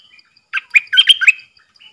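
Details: Caged decoy bulbul used to lure wild birds, recorded 13 April 2021 while wild birds came in three times. A short burst of bright, chattering whistled notes, rising and falling, in a quick phrase of about one second.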